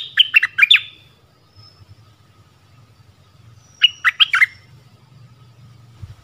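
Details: Nok dok taeng used as a forest decoy, calling a mate on 13 January 2021; two short clusters of three or four sharp, ringing chirps several seconds apart, with low background rumble.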